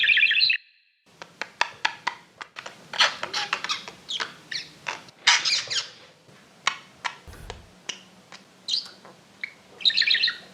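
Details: Kept exhibition budgerigars make sharp dry clicks and ticks in an irregular run, with short buzzy chirps at the start and end, in a quiet indoor setting.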